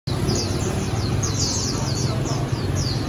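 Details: White-eyes kept caged for sale at a bird shop in Hanoi, Vietnam: many thin, high, quickly downslurred chirps overlapping in a continuous chatter, over a steady low rumble of street noise.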